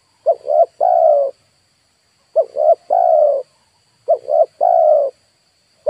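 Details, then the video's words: Lure spotted dove cooing three times, each phrase made of two brief hooked notes and a longer, even, slightly downslurred coo, spaced about two seconds apart over a quiet background. "DERKUKU/TEKUKUR PIKAT"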